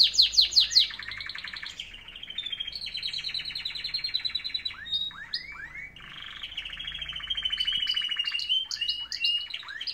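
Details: Canaries singing in the morning: long varied song of fast buzzy trills and rapid repeated notes, with rising swept whistles near the middle and a sustained high whistled tone, continuous throughout.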